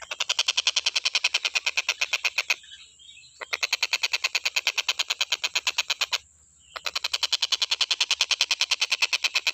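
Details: Stork-billed kingfisher, a nonstop recording made as a tutor for training other cage birds: a fast, harsh, even series of rasping notes, about three per second, broken by two short pauses, with a steady high hiss behind.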